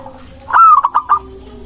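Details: Local zebra dove singing as a lure for trapping and provoking rivals: one loud phrase of a strong rising note that slides down, then three short, clipped notes with quiet pauses between them.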